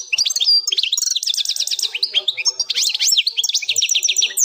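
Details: European goldfinch in the plak mine song style, delivered without errors: a continuous rush of sharp, high chirps and quick down-slurred notes, with short repeated runs of liquid twittering.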